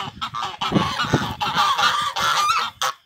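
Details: Harsh, drawn-out honks from a pair of African geese serving as alarm birds on a rural property, several long nasal blasts running together, with scattered low thumps underneath.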